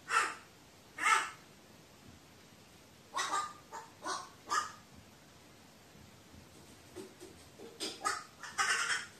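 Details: Crow's solo chatter, recorded 15 May 2018: a loose run of hoarse caws, two spaced at first, then clustered groups of shorter rough notes with brief pauses between.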